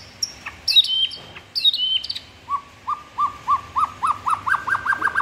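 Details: White-rumped shama (murai batu) singing a full-repertoire song: high downslurred whistles, then a rising series of short whistled notes repeated about three times a second, climbing in pitch.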